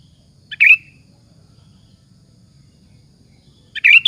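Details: Sooty-headed bulbul singing vigorously, a lure meant to provoke other bulbuls into answering: two short bubbly chirped phrases, one near the start and one at the end, separated by quiet with a low background hum.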